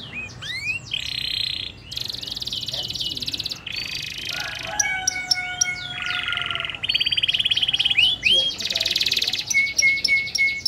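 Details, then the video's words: Local canary singing a long, richly varied song in the ornate cengkok style: rapid buzzy rolls, dense high trills and sliding whistles that run together without a break for over ten seconds. "Kenari Lokal Gacor Cengkok Super Mewah"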